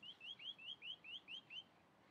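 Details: Singing chalk-browed mockingbird delivering a quick run of eight clear upslurred whistled notes, evenly spaced about four per second, followed by quiet.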